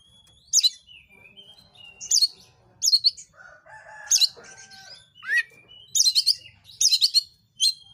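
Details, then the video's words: Energetic oriental magpie-robin song, played to provoke other magpie-robins to sing; varied sharp chirps and slurred whistles in quick succession, with a brief lower warbled passage midway and a falling whistle near the end. "Kacer manapun BAKALAN AUTOPLAY NARUNG burung kacer gacor"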